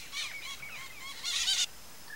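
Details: Sayaca tanager calling in a quick run of thin, squeaky, slightly nasal notes, ending in a brief, harsher burst of high sound, then quiet.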